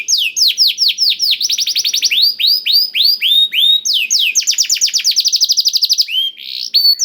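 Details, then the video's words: Canary singing a blackthroat-tutored song, played as a lure to get canaries singing: rapid series of bright downward-sweeping whistles, repeated in fast trills that shift pitch and speed across the phrase, clean with no other sounds. "KENARI ISIAN BLACKTHROAT #175 || VOICE OF CANARY"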